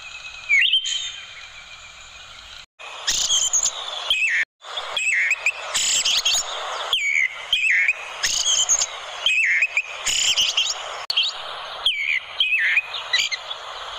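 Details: An orange-headed thrush sings a melodious, rich, varied run of clear whistles and rapid chattering trills, phrases tumbling one after another with short abrupt breaks, offered as a master song for training other birds.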